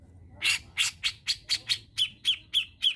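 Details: Cucak jenggot (grey-cheeked bulbul) lure recording for training songbirds in Indonesia: ten harsh, broadband rasping notes repeated about every quarter second, the later ones ending in a short tonal twang.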